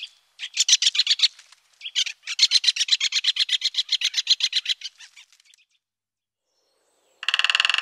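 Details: Great spotted woodpecker calling: fast chattering runs of short, harsh, broadband notes, about four per second, in two bursts with a brief break, ending in a loud buzzy burst after a pause.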